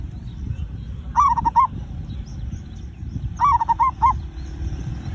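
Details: Zebra dove song used as a lure to prompt other birds to sing: two phrases, each a quick run of four or five clipped, mellow cooing notes, spaced about two seconds apart over steady low rumbling background noise.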